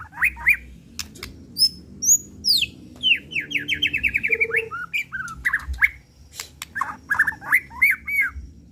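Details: Emotional white-rumped shama unloading its song repertoire, original and unrepeated: clicks and high whistles, then a fast run of descending chirps, later evenly spaced paired whistled notes repeated about every half second.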